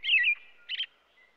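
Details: American robin singing: two brief warbled phrases, the first a rich slurred burst, the second a shorter chirpy note after a pause, with a faint thin whistle fading at the end.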